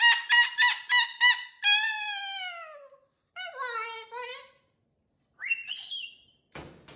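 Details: Pet cockatoo on its cage with new toys, giving a few quick harsh notes, then two long falling wails and a rising squeal, with a clatter at the end.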